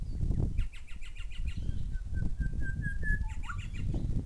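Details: Grey shrike-thrush pair calling: a series of about eight clear whistled notes climbing gradually in pitch, ending in a quick drop and flourish. Rapid repeated chirps come earlier, over loud low rumbling noise.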